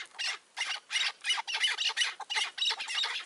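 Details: Chukar partridges, wild birds and a decoy on a rooftop in May 2024, give harsh, broad-band chattering notes in quick bursts, about three per second, with no other clear sounds.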